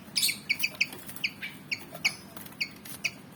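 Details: Javan fantail, black and white and about 19 cm, eager to fight: sharp high chirps with bright overtones, repeated roughly every quarter to half second, some notes doubled, over a faint low hum.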